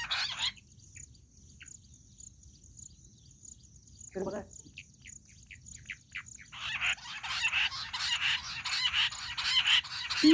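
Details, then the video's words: Jungle bush quail recording made for hunting use. A few scattered short chirps break a near-silent stretch, then a loud, harsh chattering chorus of quick repeated notes builds and continues to the end. "Amazing Quail sound || Battair shikar awaaz || Bush quail voice| baredd Junglee gundri awaaj"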